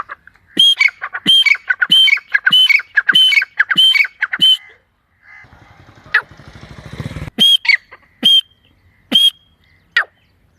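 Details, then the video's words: Partridge calling in a forest: loud, harsh, ringing notes in rapid repeated phrases, about one and a half per second, broken midway by a passing engine rumble before the calls resume. "جنگل میں تیتر کی بہت خوب صورت آواز"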